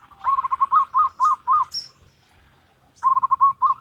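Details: Local wild zebra dove singing in the Salendro rhythm style: rapid series of soft, rolling cooed notes in a bubbling run, a pause, then another quick run; a brief high chirp from another bird.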